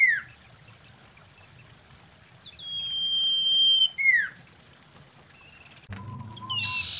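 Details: Common iora, described as a female calling in the wild during mating, used as a lure: a long level high whistle held about a second, then a quick falling slurred note, with faint rural background.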